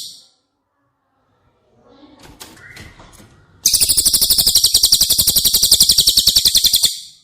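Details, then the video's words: Cililin training song for caged White-rumped Shamas. Faint clicks and soft chips give way to a loud, sustained, high trill of rapid, evenly repeated buzzy pulses lasting over three seconds. "Masteran CILILIN"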